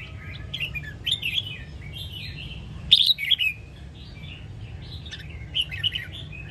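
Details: Sông Kon red-whiskered bulbul, a training recording for cage birds: bright warbling phrases almost nonstop, loudest burst near three seconds, more phrases toward the end, steady low hum underneath.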